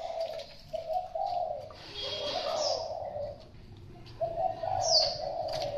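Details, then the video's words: Thai spotted dove giving soft, throaty coos in two long phrases separated by a pause, each several rolling notes; a faint high whistle from another bird and steady low background hum are heard outdoors. "Cu gáy Thái"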